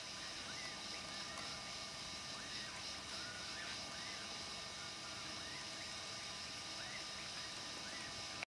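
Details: A Malayan partridge in Malaysian rainforest gives a steady series of short, clear rising whistles, several each second, over a loud, high buzzing insect chorus.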